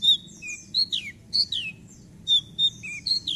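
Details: Javan bush lark in full, lively song, played as a lure to prompt silent birds to sing: high thin whistles and sharply falling slurred notes in short bursts, with a faint low rumble beneath.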